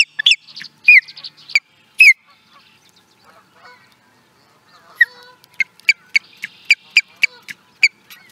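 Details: Osprey at Charlo, Montana, USA, 2017: a few loud, downslurred whistles, then a quiet gap, followed by a quick run of sharp, repeated piping notes at a steady pace.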